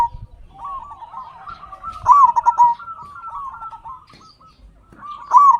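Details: Caged local zebra doves singing as a lure to make other doves sing: overlapping soft trills and two loud bursts of rapid rolling coos.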